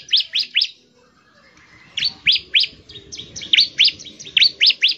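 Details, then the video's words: Ciblek, the bar-winged prinia, giving a lively ngebren song meant to stir other prinias to sing: series of sharp, descending chirps, about four per second, in short runs separated by brief pauses. "CIBLEK GACOR, NEMBAK NGEBREN UNTUK MEMANGGIL CIBLEK CEPAT BUNYI GACOR"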